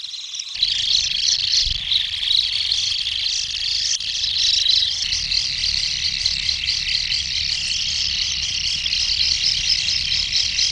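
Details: From inside a common kingfisher's nesting burrow, a steady, dense, buzzing chorus of high-pitched calls runs without break, with faint low rumbling beneath.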